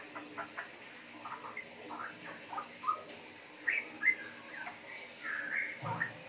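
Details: Four-month-old female straw-headed bulbul kept in Yogyakarta, bred from wild stock, making riwik twitters: scattered soft chirps building to a few louder rising and slurred notes, against a hissy background.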